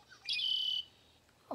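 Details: A Red-winged Blackbird, a bird of marshes, waterways and wet places, sings once: a quick soft opening note, then a bright, buzzy, ringing trill held about half a second. A voice begins just after.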